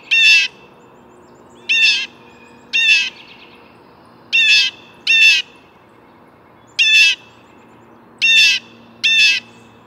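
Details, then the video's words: Blue jay calling loudly with rasping, broadband jeers, eight calls mostly grouped in twos and threes with short pauses between, little else audible. "Blue Jay Bird Calls"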